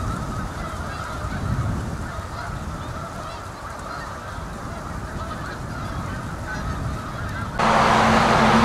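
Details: Fall flock of Canada geese, South Utica Reservoir, Utica NY, November; steady overlapping honks for most of the recording, then a sudden loud broadband rush and hum near the end.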